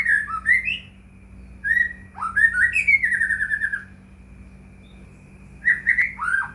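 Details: Lure song of a white-rumped shama for provoking other shamas: varied rich whistled phrases, some rising and some falling, with a pause of over a second midway, over a low electrical hum.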